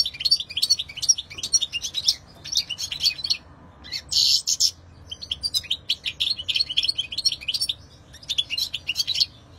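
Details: European goldfinch pouring out long, continuous twittering song of fast, bright, jingling notes, broken by a brief buzzy wheeze and short pauses.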